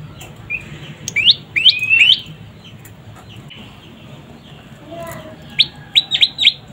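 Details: Juvenile prinia, known locally as prenjak pyeng, gives scattered sharp high chirps and slurred whistles. A quieter middle follows, then another quick cluster of piercing chirps, over low hum.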